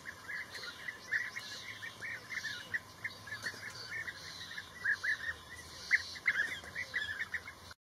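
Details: Blue-tailed bee-eaters give short, rolling chirps over and over, bunched in quick bursts, with a steady hiss of insects or distant noise behind.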